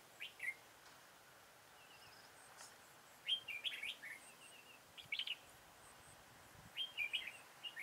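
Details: During decoy trapping on 13 October 2018, a red-whiskered bulbul gives its full song: short, lively, chirpy warbled phrases spaced a second or two apart, with faint thin notes between them.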